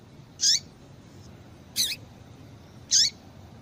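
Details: Three evenly spaced, high, clipped chips from a female double-collared seedeater, each ending in a downward slur, about one per second; the call is used to prompt a male to sing.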